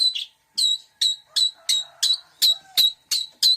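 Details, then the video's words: Long-tailed shrike (cendet) with mixed mimicry: ten short, bright, chirping notes about a third of a second apart, each a sharp high burst with layered tones. "Suara Cendet Campuran Isian Full"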